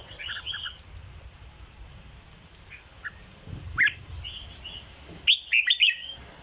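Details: Caged red-whiskered bulbul, 'dok' song style: scattered soft slurred notes, one sharp whistle near four seconds, then a loud run of ringing whistled notes near the end, against a steady insect-like chorus.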